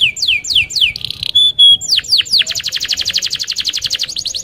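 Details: Canary rolling song meant to draw other canaries into singing: a few falling whistles, a brief pure held tone, then a long, rapid metallic trill of evenly repeated notes.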